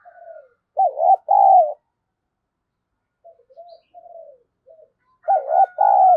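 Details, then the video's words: Spotted dove calling to lure wild doves: two loud low coos, the second long and slightly falling, then softer short coo notes, and another loud paired coo at the end; a faint whistle-like tone in the background. "Tiếng cu gáy kích bổi hiệu quả, cu gáy Gọi. cu gáy thúc gù kích bổi"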